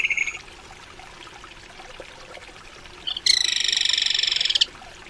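A crested kingfisher gives a brief high note, then a harsh, rapid rattle of about twenty notes lasting over a second, over a soft background hiss.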